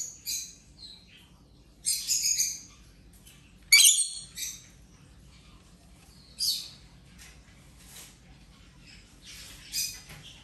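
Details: Rainbow lorikeet playing while recovering from an injury over ten days, giving scattered harsh, screechy squawks and short chirps in bursts separated by quiet pauses, against a faint low background hum.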